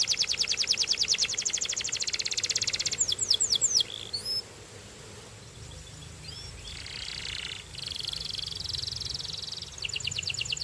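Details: A Belgian canary sings a fast dense rattling trill, then a few swooping whistles, then a quieter buzzy passage, ending with another rapid high trill.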